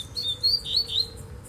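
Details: High, slurred, warbling notes from a Double-collared seedeater in a bamboo thicket, four or five quick phrases in a row against quiet background hum.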